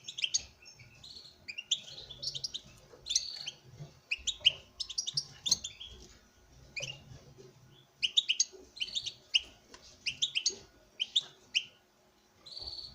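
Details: Captive male European goldfinch kept for breeding, singing to a female; thirteen seconds of quiet, repeated twittering notes in clusters, fainter in the middle, with low room rumble beneath.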